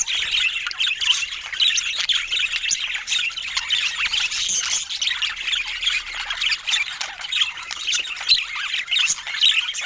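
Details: Steady, lively budgerigar chatter: many high, rasping warbles and twittering chirps overlapping without pause.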